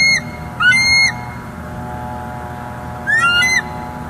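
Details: Nest-cam recording of a wild bald eagle pair in Northeast Florida on December 18, 2023. Two high, slightly arched, piping call notes are spaced a few seconds apart against a quiet background with a faint steady hum.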